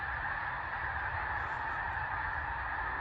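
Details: Vast flock of snow geese upset near Saskatoon, Saskatchewan: an unbroken wall of countless overlapping honks, loud and steady throughout, with low rumbling wind noise beneath the din.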